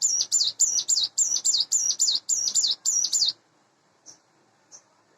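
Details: Morning song of a hand-reared, caged sunda bush warbler about eight months old: quick bursts of high, thin chittering notes for three seconds, then quiet with two brief faint chips.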